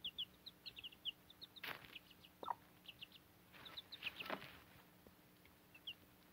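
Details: Young backyard chickens with their Cochin mother hen, chicks nearly grown and feeding on fodder; high, thin peeps repeat through the clip, with a few louder broadband bursts and scuffling noises around them.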